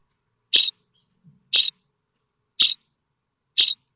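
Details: Common starling chicks in the nest at Théding, France, on 7 May 2024, awaiting food from parents: four evenly spaced harsh rasping notes about a second apart.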